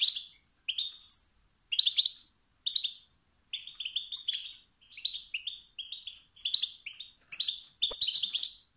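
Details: Wild-type male European goldfinch making 'sts-sts' and 'bt-bt' calls that push other males to sing. Crisp, clipped twitters repeat in steady, evenly spaced bursts about every half second, with one brief low knock near the end.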